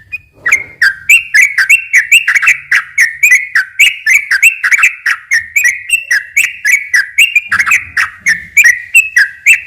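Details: Energetic ropel singing from a sooty-headed bulbul, meant to attract other bulbuls: rapid rolling whistled phrases, each a high note dropping to a lower one, repeated over three times a second, with a faint low rumble in places.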